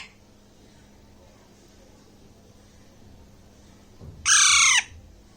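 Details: A hand-fed baby Alexandrine parakeet, about one and a half months old, is eating grapes in Bangladesh and gives one loud, harsh, rasping squawk about half a second long after a quiet stretch with a faint hum.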